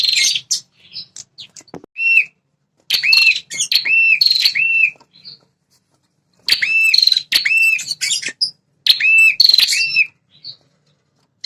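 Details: Prenjak kepala merah (red-headed prinia) calls for provoking territorial males. Clusters of sharp chirps with looping, upturned whistled notes come in three bursts, with silent gaps between.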